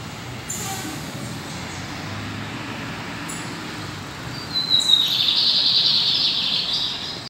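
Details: Lined seedeaters, two birds, singing; after a quiet start, a bright high twittering song bursts in around midway and continues as a dense run of rapid chirps to the end, over a low background hum.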